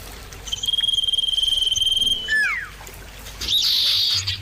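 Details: Common iora in a lure recording of birds answering each other. One long, even, finely trilled whistle is followed by two falling slurred notes, then a brief burst of higher notes.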